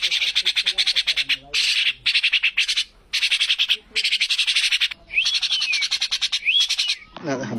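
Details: Common myna from Bangladesh giving harsh, buzzy rasping bursts in quick pulsed series, broken by short pauses, with a couple of sliding whistled notes near the end.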